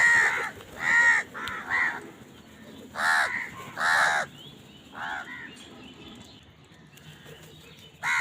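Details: Crows feeding and squabbling over food give a burst of loud, hoarse caws, some in quick pairs, then a pause with faint distant calls before a final caw; irregular rhythm, roughly one call per second at first.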